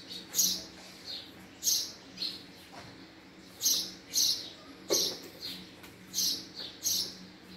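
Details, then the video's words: Repeated house sparrow call: roughly ten loud, high chirps at an uneven beat of about one every half to one second, with a low hum underneath. "sparrow sound: female Sparrow sound vs. male Sparrow Sound, house sparrow call"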